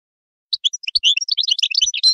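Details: After a brief silence, a European goldfinch breaks into rapid, high-pitched twittering with bright, tinkling notes tumbling over one another in quick succession.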